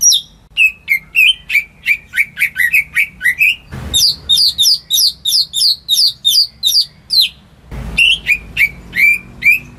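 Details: Greater green leafbird kept in a home, singing to get silent birds going: fast chattering bursts of bright whistles and chirps, some with sharp rising slurs, split by two short noisy knocks.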